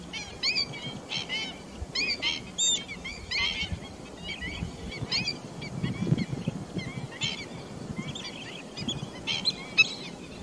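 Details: Pheasant-tailed jacanas on 28 July 2021 call almost continuously, mewing twangy notes in loose groups with bending pitch, several birds possibly overlapping, over a low rumbling background.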